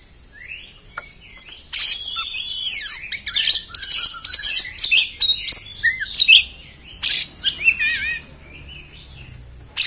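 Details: An Oriental magpie-robin delivers rough 'beset' song, a dense jumble of harsh scratchy bursts, rising and falling whistles and quick trills for about eight seconds, followed by short wavy whistled phrases.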